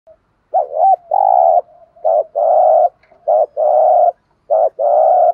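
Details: Decoy spotted dove giving thúc gù coos used to provoke wild doves: a short warbled double note followed by a long, steady, burry coo, repeated about every 1.5 seconds with quiet soft hooting between phrases.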